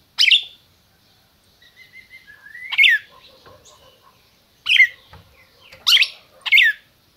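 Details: Brazilian captive red-crested cardinal, 'máquina' song style: strong falling chips at irregular intervals, separated by a quieter stretch of soft warbled and whistled notes.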